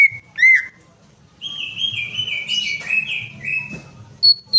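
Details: Greater green leafbird song used as a prompt to get another bird singing: a few sharp chirps, then a long wavering whistle near steady pitch stepping gradually lower, ending with a brief high note.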